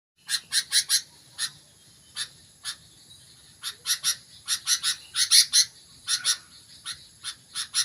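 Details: Sooty-headed bulbul starting to sing intensely: bursts of harsh, buzzy chips, some in quick clusters of three or four and others spaced singly, over a faint steady high hiss.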